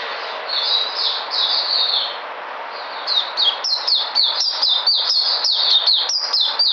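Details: White-eye regaining its energy, recorded 13 February 2020: a high, sweet warbling song, first in drawn-out slurred phrases, then quickening into rapid twittering notes tumbling over one another.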